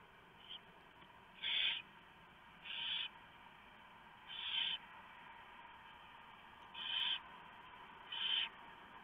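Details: Barn owls at the nest during a mouse delivery by the male, owlets being fed; short harsh hissing bursts at irregular intervals of one to two seconds, with steady low hum beneath.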